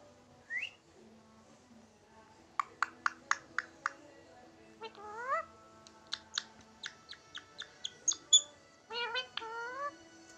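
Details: Pet Indian ringneck parakeet mimicking a cat's voice, mixing sharp short whistles with rising, meow-like calls and a few squawky notes in an irregular series.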